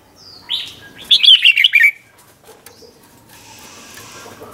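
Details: Red-whiskered bulbul singing a training song in the doubled 'เบิ้ล' style: a short rising whistle, then one fast bubbly phrase of five or six liquid notes, followed by quiet with faint background hiss.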